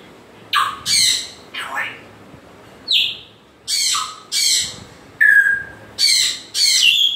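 A grey parrot gives about nine harsh, rasping squawks, some sliding down into short whistles, roughly one burst per second with brief pauses between.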